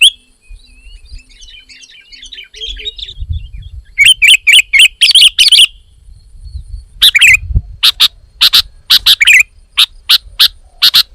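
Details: Sooty-headed bulbul, described as female: faint scattered twittering at first, then a run of emphatic chip notes, some doubled, speeding into a steady series of single chips near the end.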